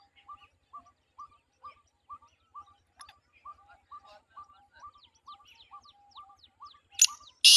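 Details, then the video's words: Black francolin, or titar, calling: short two-tone notes, each stepping up from a low pitch to a higher one, repeated about twice a second for seven seconds. Fainter high chirps join later, and a loud clatter sounds at the end. "titar voice"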